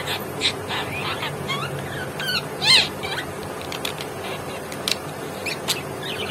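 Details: A pet talking budgerigar chatters in quick high warbles, squeaks and mimicked word-like phrases.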